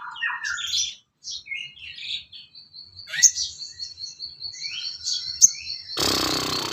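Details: Sooty-headed bulbul song meant for training songbirds: a run of quick varied chirps and warbles, then a steady high tone with clicks, cut off by a harsh noisy burst.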